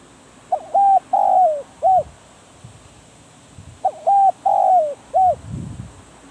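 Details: Decoy spotted dove in a trapping cage, repeating its low hooting coo phrase twice about three seconds apart. Each phrase is a quick soft note, then level, long falling and short coos. Light thumps are heard in the background.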